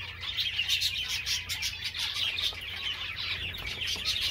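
Java sparrows keep up a dense run of high, clicking chirps and soft trills, several birds twittering at once with a faint low hum behind.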